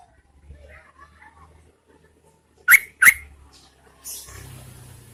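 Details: Luring males in the rainy season, a female Yellow-vented Bulbul utters two sharp, ringing rising notes close together. A low droning hum and hiss begin shortly afterwards.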